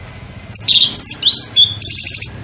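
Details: Orange-headed thrush lure song, used to coax birds into singing: a short, dense phrase of very high, crossing whistled sweeps and buzzy notes.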